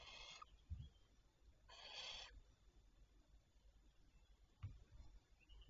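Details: Two rasping, breathy screeches from barn owls, noted at 07:52 on 27 May 2023, each about half a second long and spaced under two seconds apart, amid faint low knocks and soft background noise.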